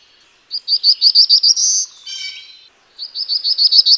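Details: Black-throated blue warbler song: a fast series of high, evenly spaced notes climbing into a drawn-out buzzy finish. A different, lower, rich harmonic call follows briefly, then the warbler starts another rapid note series.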